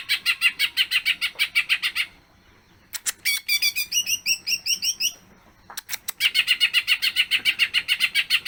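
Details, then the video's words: A greater green leafbird sings energetically through a long, fill-rich song: rapid buzzy chatter, then a pause, a sequence of quick upslurred whistles, and a renewed stream of fast repeated notes. "cucak ijo Gacor bongkar isian durasi panjang"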